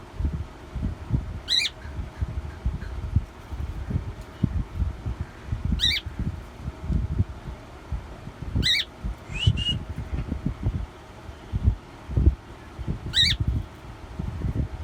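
A cockatiel gives short, sharp chirps every few seconds over low rumbling background noise.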